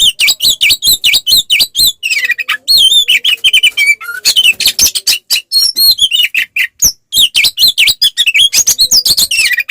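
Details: Oriental magpie-robin singing its fighting song, used to provoke rival males: long run of rapid repeated whistled up-down slurs, then wavering high whistles, a low whistle, and more fast chattering notes.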